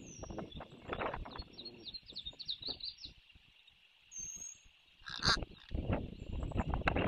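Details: Osprey at a nest in Savannah, filmed by a nest camera during landings: a quick run of short, high, thin chirps early on, over heavy thumping, rustling and wind noise, then a louder bump.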